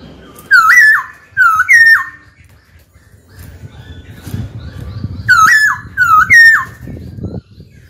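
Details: Trained captive white-cheeked laughingthrush singing to call a rival to fight: two bursts of loud, clear whistled notes that dip and rise sharply, each burst of two or three notes, with a quieter low rumbling gap between them.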